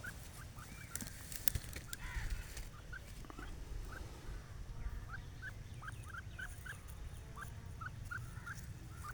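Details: A pair of grey francolins in the grass: soft, short chirped notes, repeated roughly every half second in a steady series, over a constant low rumbling background noise.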